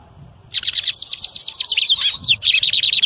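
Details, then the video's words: Male lined seedeater singing loudly to stimulate other birds: after a moment of quiet comes a fast, continuous tumble of high, slurred, buzzy chirps, ending in a tight trill. "BIGODINHO CANTO ALTO PARA ENCARTE"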